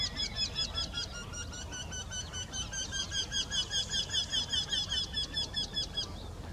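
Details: Two Eurasian wrynecks singing in the same tree: a long, steady series of nasal, ringing notes, about two and a half per second, carrying on for over six seconds over low rumbling background noise.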